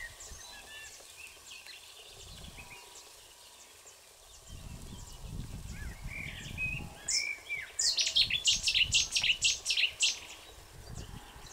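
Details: European bee-eaters at the Soča river mouth nature reserve on 1 June 2023 give rolling, liquid 'prruip' calls, quickly repeated in a lively burst in the second half, over a low rumble of wind or distant traffic.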